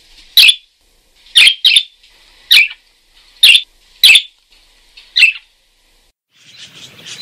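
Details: Lively parakeet giving harsh, buzzy chirps, single or paired, about eight in total, followed by a stretch of soft, fluttering chatter at the end.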